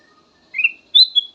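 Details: Brief kutilang emas phrase from a soothing song used as a lure: a rising whistled note followed by a higher, sustained clear whistle.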